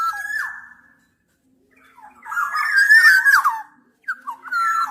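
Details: Black-naped oriole: a slurred fluty whistle, a pause, then a longer, richer warbling phrase with nasal overtones, and a final short wavering whistle.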